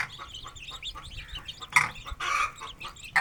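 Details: Aseel chicks and hen feeding in an open rural yard; many soft high peeps run throughout, with a few louder rough clucks and scratching noises.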